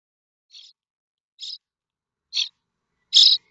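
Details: Common starling nestlings in a nest at Théding, France, on 7 May 2024, waiting for parents to bring food; four short hissing high-pitched calls, spaced about a second apart and growing louder each time.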